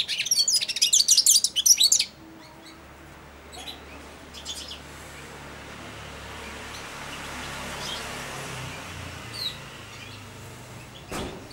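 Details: Four-month-old caged European goldfinch babbling subsong while fed from the hand: a two-second burst of rapid, twittering high notes, then near silence with faint scattered chirps.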